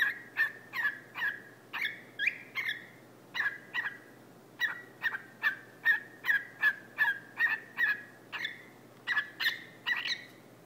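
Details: Barking from a pet male whiteface lutino cockatiel that has climbed down a couch to address its owner's foot: a long run of harsh, clipped squawks, about two or three a second, a few with rising whistled tails.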